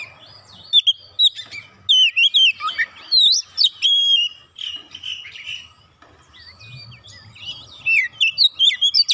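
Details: Oriental magpie-robin, emotional after a single provocation, singing its repertoire: fast sequences of sharp rising and falling whistles and chirps, pausing briefly before another busy burst.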